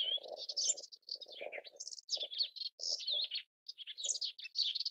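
A melodious warbler sings a fast, rambling warble of varied high notes mixed with rougher chattering sounds.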